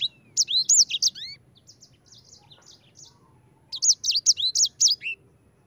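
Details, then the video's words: Sanger singing ngerol style to lure other birds into singing: an opening burst of sharp high chirps, softer scattered notes in the middle, then another bright rapid chirping phrase. "Suara Burung Sanger EDEL SANGER NGEROL Ampuh untuk pancingan sanger cepat ngerol gacor"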